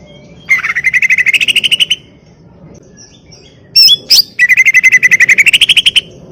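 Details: Caged greater green leafbird in continuous song: rapid trills of clear whistled notes climbing gradually in pitch, broken by two sharp high squeaks, then another fast, rising trill.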